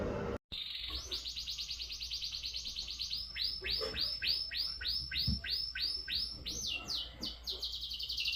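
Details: Red factor canary singing: a rapid rolling trill gives way to a run of about a dozen sweeping, repeated whistled notes, then fast buzzy rolls near the end, over faint low background hum.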